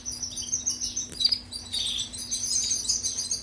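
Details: European goldfinch song, used as a tutor recording for training canaries: a continuous high, tinkling twitter of quick notes with a brief louder burst near the middle and a steady faint low hum underneath.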